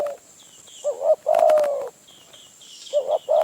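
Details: Wild spotted dove lured by a decoy in the Phrae forests of Thailand. It gives hoarse, husky coos in clipped then drawn-out notes, with rustling clicks in the middle and soft high chirps from another bird.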